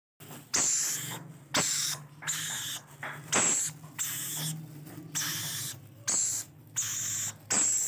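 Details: Rainbow lorikeet chicks begging while being fed: harsh, hissing, rasping bursts about a second long, coming one after another with brief silent gaps, steady and noisy throughout.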